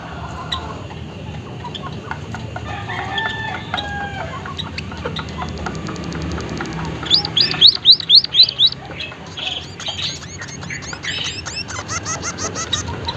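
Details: Emprit haji, the white-headed munia, delivers a short burst of about six rapid arched whistled notes amid a busy background of many chirping birds and rustling noise, with more faint chirps afterward.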